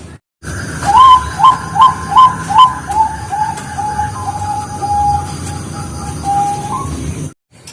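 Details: Zebra dove of the Bangkok type singing as a lure: five loud, rounded coos about half a second apart run into a long, fast, quieter trill on one pitch, ending with a slight upward lift, over a steady high hum.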